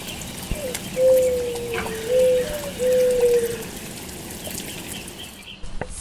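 Zebra dove giving three soft, level cooing notes in quick succession, each about half a second long, over a steady hiss of background noise.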